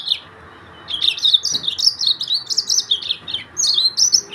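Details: A Yellow-fronted canary from Mozambique sings a fast, twittering series of high warbled notes and trills after a short quiet start, the phrases rising and falling continuously.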